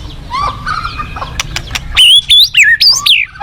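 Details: White-rumped shama song from a forest setting. Faint notes give way after two seconds to loud, clear whistled phrases, each sliding up or down, with bright high notes roughly every third of a second.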